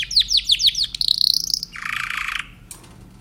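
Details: Timbrado canary singing a quick series of descending whistled notes, then a high steady trill and a lower rolling buzzy phrase, ending in a faint short note.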